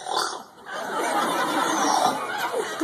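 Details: An Amazon parrot, a trained mimic of sound effects at a parrot show at African Lion Safari, Canada, is asked what a piggy says and gives a rough, grunting snort imitating a pig.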